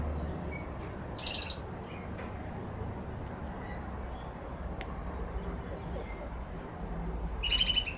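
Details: One of three Australian magpies in a Western Australian backyard gives two brief, loud, rich-toned bursts, one early and one at the end, with quiet gaps between over a steady low rumble.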